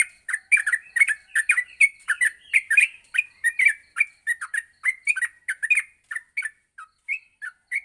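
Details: Morning training song of a yellow-vented bulbul, meant to help other bulbuls sing in long runs; quick chattering notes bunched in bursts, fading to sparser chirps near the end, background quiet.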